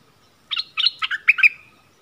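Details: Yellow-vented bulbul decoy song: four short, gurgling note clusters in quick succession that end in a brief trailing whistle.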